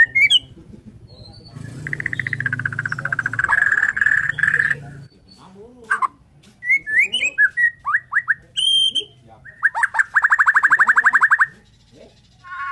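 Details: Morning singing of a Borneo white-rumped shama, said to stir other shamas to sing: a long buzzy trill over low hum, varied whistled phrases, then another fast rattling trill.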